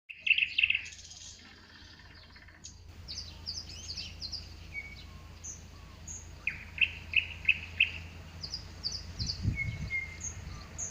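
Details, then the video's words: Nightingale singing in a spring garden in high, varied phrases: quick runs of repeated sharp notes, thin whistles and chirps, with short pauses between, over a faint low hum. "THE NIGHTINGALE SINGS IN THE GARDEN"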